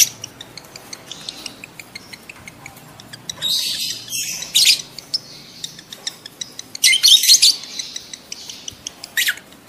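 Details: Lovebirds in breeding mood calling to stir mating: faint high ticking throughout, broken by rasping chirp bursts near the middle and a louder squeaky chattering cluster toward the end.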